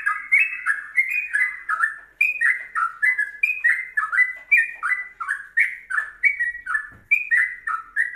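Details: Yellow-vented bulbul (Pycnonotus goiavier) in rapid, bubbly song: mid-pitched slurred notes, each dipping downward, tumbling out about three a second without pause.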